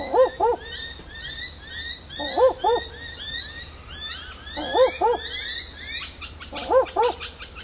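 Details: During the day at Warriewood, Sydney, Australia, a barking owl hidden high in dense leaves, apparently calling for a mate, gives a low, doglike double 'wook-wook' about every two seconds while bell miners and other birds chatter and screech.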